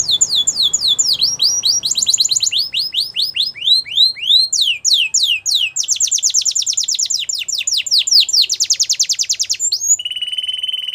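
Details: Belgian canary song for canary training: a long sequence of rapid high trills, swooping descending notes and fast rolls changing type every second or two, ending in a steady lower buzzy tone.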